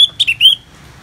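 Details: Orange-headed thrush song from Bali: a brief phrase of three sharp whistled notes, the last one a rising slur, trailing into a thin high tone.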